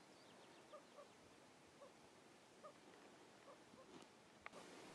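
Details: A White-tailed ptarmigan with chicks gives soft, low clucks about once a second, with faint high peeps early on and a sharp click near the end. Recorded in Rocky Mountain National Park in July 2016.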